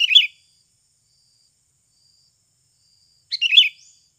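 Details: Lure recording of a Sooty-headed bulbul singing naturally to coax birds into song: a short chattering phrase at the start, then silence for about three seconds, then another bubbly phrase.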